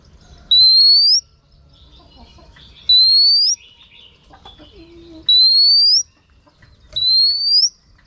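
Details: Female oriental magpie-robin urging a male with repeated whistles: four long, pure rising notes spaced about two seconds apart, with faint soft warbles and a low murmur in between.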